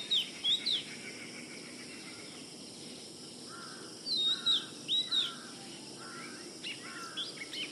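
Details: Oriental magpie-robin giving short bursts of high, slurred whistles at the start and again midway, with lower, softer notes between them and steady outdoor background noise throughout.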